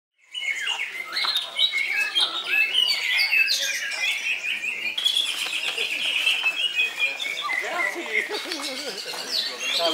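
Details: Greater green leafbird singing in non-stop koncer style at high volume: dense, rapid, varied chirps and whistled trills, mostly high-pitched, starting after a brief silence, with overlapping twittering throughout.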